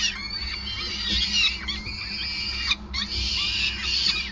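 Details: Feeding at a peregrine falcon nest in Groningen, Netherlands, 5 May 2020: sustained harsh, high wailing with a short break near three seconds, then resuming, over a steady low rumble.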